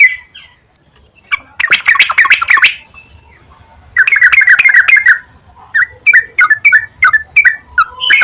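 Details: Yellow-vented bulbul song used as a lure to make kept birds sing: a brief note, then dense bursts of busy chattering notes, a pause, and a run of separate slurred chirps near the end.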